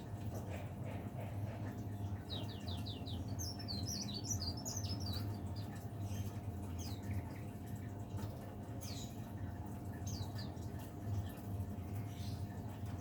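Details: Caged leaf warbler, which sings from morning to evening, bursts into a rapid series of high, sharp, downslurred chips followed by twittering phrases, then a few scattered notes, over a steady low hum.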